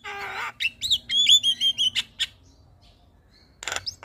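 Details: Javan myna giving a morning call that prompts other mynas to respond: a nasal rasp, then a chain of sweet whistled notes and a scratchy burst, silence, and one final harsh squawk.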